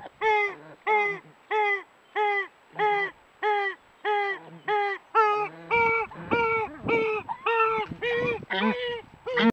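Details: A wild Southern ground-hornbill chick in its nest in South Africa, caught on a trail camera, is noisy while its mother feeds it. It gives loud, nasal, harmonic-rich begging calls, repeated about every half second and growing harsher and more rapid toward the end.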